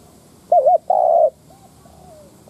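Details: Spotted dove decoy cooing to lure wild doves: one wavering coo followed by a long smooth coo, then fainter soft echoing notes trailing off.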